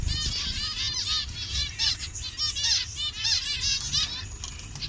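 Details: Captive zebra finches of assorted colour varieties in Bangladesh calling together: rapid nasal toots with stacked overtones, many birds overlapping in a continuous cheerful chatter.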